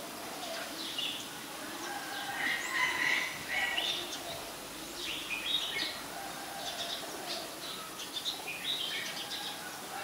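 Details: Ashy Woodswallow, a very common resident, recorded at Ubon Ratchathani, Thailand, on 20 October 2021: short harsh chirping notes scattered irregularly, with a brief run of clearer mid-pitched notes near the middle, over steady hissing background noise.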